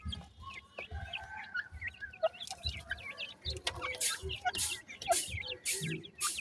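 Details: Feeding grey francolin chicks give steady high, downslurred peeps, many overlapping, while repeated hissing, scuffling bursts sound in the later part.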